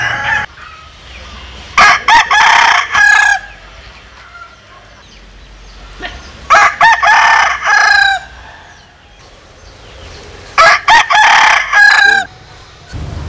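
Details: Three separate rooster crows spaced about four to five seconds apart, each a loud, rapidly pulsing, harmonically rich call, from a collection of Vietnamese and American Sil cock crows, with low background hum between them.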